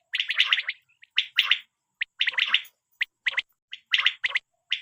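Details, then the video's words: Quail call, apparently for hunting and netting, KPK region of Pakistan: buzzy three-note phrases and lone sharp notes repeated roughly once a second, clean background. "بٹیر کے لیے صاف آواز،Batair k Awaz mp3 2023 l safe awaz mp3 batair l Quail Best sound"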